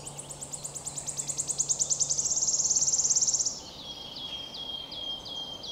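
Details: Wood warbler singing, recorded on 22 May 2023; the bird often sings in flight and rarely completes a song on one branch. High ticking notes speed up into a loud shivering trill lasting about 3.5 seconds, followed by several clear, slightly falling piping notes.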